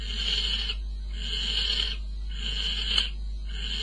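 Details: Barn owls at a nest box at 04:45 on 22 May, male bringing prey to the female, courtship feeding; harsh, breathy hisses of about two-thirds of a second each, roughly once a second, over a steady low hum.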